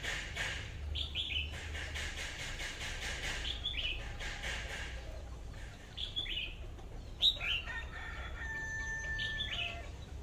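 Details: A red-whiskered bulbul decoy bird gives short, bright warbled phrases with quick up-and-down slurred notes every second or two, over a low background rumble and rustling.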